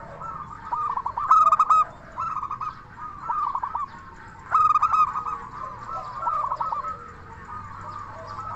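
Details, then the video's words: Zebra dove of local stock singing its crystal-voice lure song: two loud bursts of rapid bright notes about three seconds apart, each trailing into rolling, bubbling coos, with quieter coos between them. "Perkutut Lokal Gacor SUARA KRISTAL Ahlinya Bikin Semua Burung Perkutut Langsung Nyaut"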